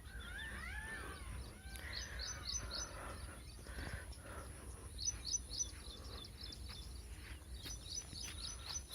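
Several birds chirp in short, high repeated notes and a few looping whistles, over a steady low rumble of wind or distant traffic.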